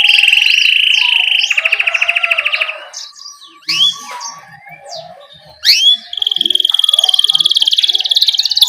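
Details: Canary rolling song in 'ngerol' style, a tutor recording for young canaries. A steady trill opens, quieter scattered whistled slurs follow, then a loud long even trill resumes to the end.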